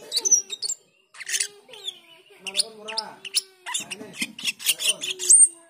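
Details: Black-winged myna (jalak keling) in busy ngriwik chatter meant to lure and train cucak keling: dense scratchy bursts, squeaks and a thin high whistle, nearly continuous throughout.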